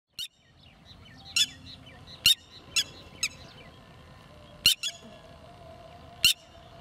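Red-wattled lapwing giving loud, sharp, high notes at uneven intervals, about eight in seven seconds. Fainter twittering from other birds fills the first seconds.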